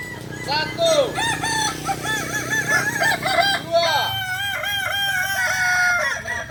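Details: Kokok Balenggek roosters at a joint practice gathering in Ampang Kualo, Solok city, crowing in long strings of short arched, ringing syllables that tumble over one another, with a background murmur of people.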